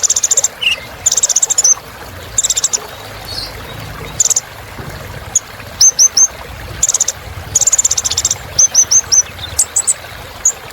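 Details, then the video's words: High-pitched sunbird song, the kolibri ninja kept as a lively filler song, alternating short buzzy trills with little groups of sharp downslurred chirps over about ten seconds. "Suara Kolibri Ninja Isian Mewah Bikin Burung Semangat"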